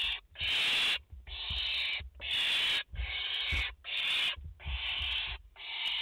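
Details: Nest of barn owls in France, a mother with four chicks, filmed 30 August 2021: rapid, loud rasping hisses, about seven in six seconds, separated by short silences, with soft rustling underneath.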